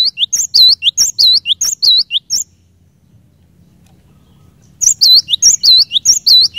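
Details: Singing cinereous tit, the song used to make other birds of its kind start singing; loud repeated whistled couplets for two seconds, a quiet gap, then the rhythmic high-low phrases return.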